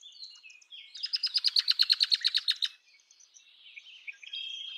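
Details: Red-winged blackbird song: a few short high introductory notes, then a loud, rapid, buzzy trill of evenly repeated pulses lasting almost two seconds, followed by softer scattered chirps.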